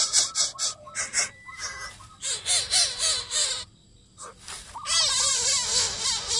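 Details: Coucal chicks in the nest beg with harsh, raspy, hissing bursts in quick ragged runs, some rising into wavering nasal squeals, while refusing food brought by the parent.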